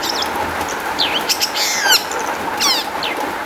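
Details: Long-tailed shrike song, played as a lure to get other shrikes singing: scattered high chirps and rapid downward-slurred trills with quick buzzy notes, over a steady low hum.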